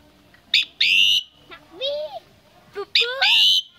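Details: Common myna, Tet 2018 at a relative's home: harsh grating bursts, a rising then falling mid-pitched whistle, and a stacked chattering phrase closing with a long rasp.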